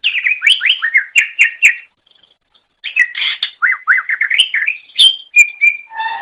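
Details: Greater Green Leafbird, recorded as a long-duration master track for training songbirds, pours out varied chattering song: fast slurred whistles rising and falling, a short pause, then more tumbling phrases ending in steady and lower whistled notes.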